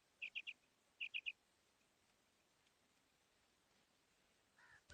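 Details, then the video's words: Female quail giving two quick three-note phrases of sharp, bright notes close together, followed by quiet, then a brief lower burst of noise at the end. "Female Batair Sound / مادہ بٹیر کی آواز / Bedana Ovozi"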